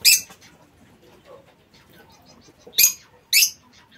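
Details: Shrill squeaky notes from lovebirds in an aviary: one sharp call at the start, then two more close together near the end, separated by a faint low background hum.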